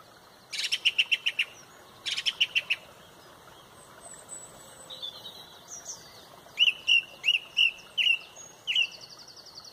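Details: Loud song thrush at sunrise, Pontrobert, leading the dawn chorus: a rapid phrase of five sharp notes, then a similar four-note phrase, then a run of separated whistled notes, with faint high calls of other birds.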